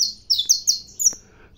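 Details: Saffron finch at sunrise, caged: a quick string of five bright, high notes sliding downward, each one short and clear, ending with a faint click.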